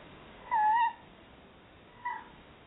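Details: Chattering tawny owl pair at a Somerset nest box while searching for a new nest site: one strong, steady tonal call of about a third of a second, followed by a short, fainter note.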